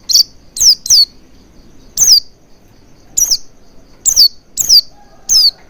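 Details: Lure call of the Oriental white-eye, used to prompt quick full song: around nine thin, high, falling chirps, an opening cluster of three, then single notes and pairs at irregular spacing.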